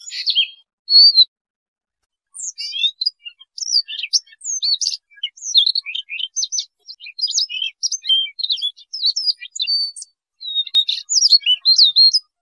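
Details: Siberian rubythroat, a Muscicapidae bird whose song is used for trapping, gives a fast, varied, high song of sharp chirps, slurred whistles and twittery notes in quick bursts after a brief opening phrase and pause, with no other sounds.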